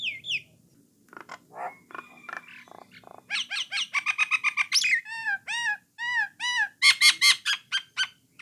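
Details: Brown starling (Jalak Nias, Jalak Coklat) song used to encourage other starlings to sing often: scratchy chattering opening, then a string of rapid rising and falling whistled arcs and sharp repeated chirps.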